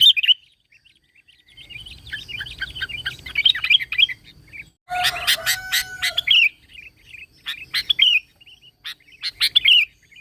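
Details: Sooty-headed bulbul lure recording, original voice with no added birds: a run of varied short whistled notes, then a harsh burst of loud chirps over a steady lower tone, and more bright whistled phrases.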